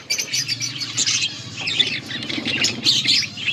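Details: Chirping budgerigars, recorded August 14, 2024: a constant high chatter of short scratchy notes and squeaks, several birds calling over one another, with a faint low hum underneath.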